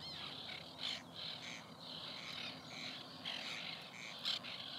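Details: White-winged terns at their nesting colony in 2021: a dense, continuous chorus of harsh, rasping calls, with louder grating bursts standing out near the start and end.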